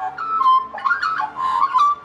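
An Australian Magpie carols in rich, fluty, warbling whistles that slide and waver in mid pitch, several short phrases running together with no other sounds.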